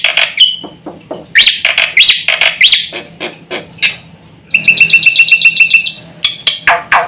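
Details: Black-winged myna singing to provoke other mynas: a whistled note, then loud harsh squawks and rasps, followed by a fast, even trill of bright whistled notes and a few closing harsh calls.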